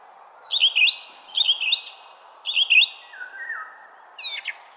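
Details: A garden songbird sings three loud, matching twittering phrases about a second apart, each a quick warbled flourish, followed by a lower slurred note and a sharp high chirp, with faint hum beneath.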